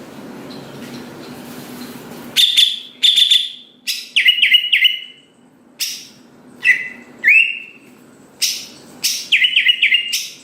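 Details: Singing Greater green leafbird trying to prompt other leafbirds to sing: after a few seconds of murmuring background noise, sharp repeated chirps, trilled notes and rising whistles come in spaced bursts.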